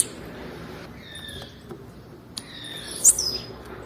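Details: Female blue-black grassquit calling to stimulate males: quiet background, then one piercing high chirp sliding down into a short thin tail near the end.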